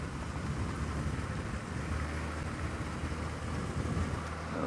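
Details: Steady low rumble of a running vehicle engine under broad hissing noise during a sunrise safari drive, with no animal calls heard.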